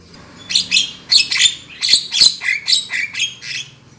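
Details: Trapping lure sound of a black-winged myna: about nine harsh, buzzy squawks in quick succession, each a short rasping burst with a slightly descending tail.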